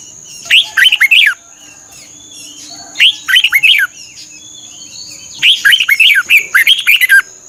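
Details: Red-whiskered bulbul from Thailand, a song used as a decoy or to make caged birds lively. Three rapid warbled phrases, the last longer and richer, play over a steady high-pitched whine.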